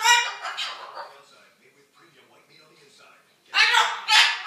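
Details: Pet cockatoo mimicking a couple arguing indoors: loud, harsh, speech-like bursts with a rich ladder of overtones open and close the passage, separated by a quiet stretch of faint murmuring.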